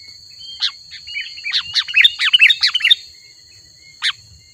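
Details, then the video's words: Sooty-headed bulbul song intended to call wild bulbuls: a soft, jumbled phrase of slurred, warbling notes for about two seconds, followed by one isolated chirp, with a faint continuous high tone. "Suara Burung Kutilang Gacor Asli"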